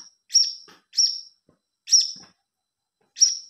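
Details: Young blue-crowned hanging parrot, used as a lure sound: four separate high, thin chirps, each a short sharp note with a slight trailing buzz, spaced about a second apart, with no other sounds.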